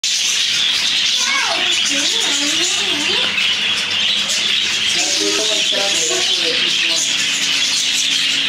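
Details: A dense, continuous chorus of shrill parakeet chirps and chatter from many birds at once in a zoo parakeet house, with a few lower squawks and faint human voices underneath.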